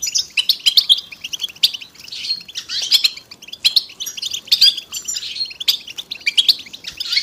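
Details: A group of European goldfinches in a dense chorus of bright, twittering chirps and trills, burst after burst, meant as mating and readiness calls to stir silent males into singing.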